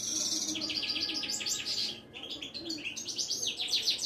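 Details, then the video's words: Widani European goldfinch from Morocco, a caged songbird, delivering a continuous high twittering song of quick chirps, trills and slurred whistles, with a brief pause midway before resuming. "طائر المقنين الزين او الحسون الويداني"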